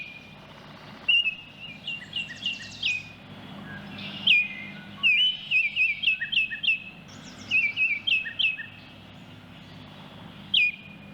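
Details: Baltimore oriole song recorded in nature: rich, pure whistled notes repeated in lively runs of four to seven, each note sliding down and then upward. Short gaps separate the runs, over low ambient noise.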